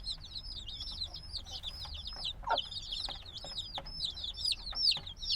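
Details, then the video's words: Noisy days-old black chicks recorded binaurally: a continuous wash of high, slurred peeps from many chicks, growing slightly louder toward the end, with a few faint scratchy bumps. "Baby Chicken Sounds - Baby Chicken Chirping Noises"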